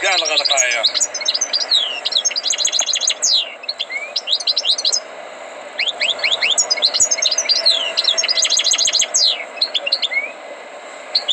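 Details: A tutored European goldfinch sings in several bursts of rapid, high, tinkling twitters and downslurred notes, separated by short pauses.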